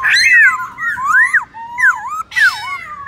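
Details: A black-throated laughingthrush sings in competition style to provoke other birds. Loud, looping whistled phrases swing between low and high pitches, with a short harsh rasp near the end.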